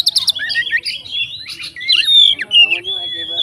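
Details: Oriental magpie-robin, a fighter bird, singing to provoke rivals: varied loud whistled phrases with sharp rising and falling notes and quick chattering bursts, nearly continuous for the whole stretch.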